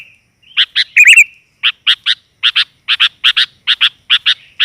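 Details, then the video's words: Lure call of a female sooty-headed bulbul, the 'gajor' style used to draw in males: one rich warbled phrase near the start, followed by paired sharp chips repeated steadily in a clean, quiet recording. "BURUNG KUTILAN GAJOR, COCOK UNTUK PANCINGAN"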